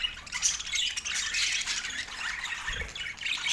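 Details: Pet budgerigars produce a softer wash of overlapping chirps, warbles and squawks, slightly muffled, with one low thud near the end.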